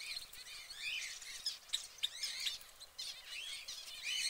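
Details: Caged orange canary singing a fast, high twittering song of rapid trills and chirps, with short rising and falling warbled phrases running almost continuously, against a faint steady background hiss.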